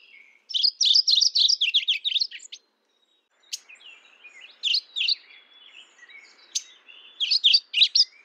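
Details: Mourning warbler with a rapid run of repeated buzzy, rolling two-note phrases lasting about two seconds, then a pause and further shorter bursts of the same chattering phrase, clear and high-pitched.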